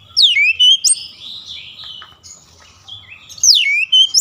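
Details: Oriental magpie-robin during daily training for a long rolling song: a few sweeping whistles open and close the stretch, with softer, rambling warbled notes in between.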